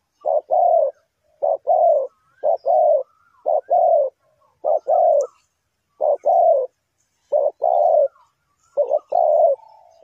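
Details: Spotted dove calling, a sound used as a lure for trapping. It gives mellow two-part coos, a short note then a longer falling one, repeated about nine times in ten seconds against a quiet background.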